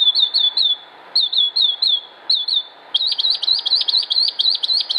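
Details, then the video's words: Northern Mockingbird, Concord, North Carolina, United States, 07-06-2016: loud clear whistled downslurred notes repeated in sets of three or four, then a long fast string of zigzagging high notes. "Northern Mockingbird Songs"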